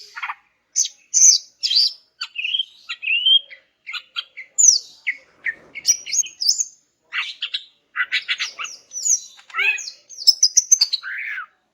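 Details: Song of a greater green leafbird, played so that silent males respond: a long, fast medley of high whistles, downslurs, sharp chips and brief trills with hardly a pause.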